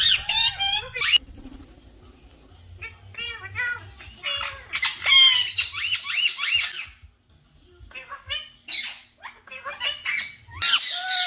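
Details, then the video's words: Green talking parrots giving loud, harsh, rasping squawks in dense bursts, broken by short pauses and a near-silent gap around seven seconds, with a faint low hum underneath. "Green Talking Parrots Natural Sounds"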